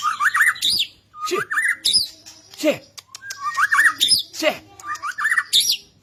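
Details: Excited, frenzied white-rumped shama (murai batu) singing, used to stir lazy shamas into song: loud bursts of whistled, warbling phrases mixed with harsh squawky notes, repeated with short pauses.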